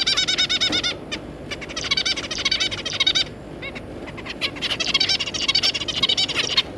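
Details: Zebra finches, a parent pair with three juveniles, recorded on 3 July 2022: dense bursts of nasal, harmonic-rich chattering calls in quick runs, with short pauses near one and three and a half seconds, over a low steady hum.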